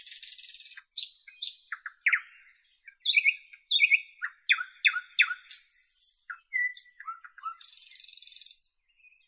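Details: Energetic nightingale song from northern Europe: buzzy bursts, crisp repeated down-swept notes in quick succession, high sliding whistles and low chuckling notes, closing with a harsh rattle.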